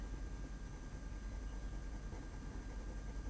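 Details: A continuous low engine-like rumble and hiss is heard, with no animal sound.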